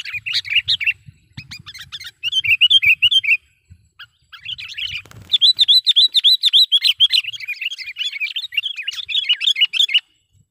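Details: Sooty-headed bulbul (kutilang) giving a lure call used to trap wild bulbuls: rapid bouncy chirps, roughly three or four per second, in bursts broken by short gaps, with faint low knocks beneath.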